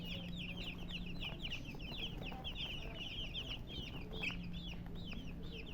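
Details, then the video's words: High, quick down-slurred chirps from a group of colored chickens with a hen, packed tightly at first then spacing out, above a faint low hum. "silly chicken chirping sounds with murgi hen color chicken"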